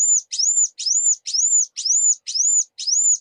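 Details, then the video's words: Seven clear, arched high whistles from a brown-throated sunbird, each starting with a scratchy onset and repeated steadily about twice a second. "Kicauan Dan Panggilan Burung Kuwul"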